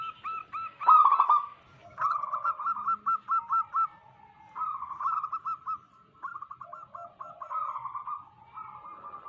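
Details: Zebra dove lure recording of native wild birds: repeated bursts of fast, evenly spaced hooked cooing notes, a few birds alternating and overlapping, with short silences between phrases.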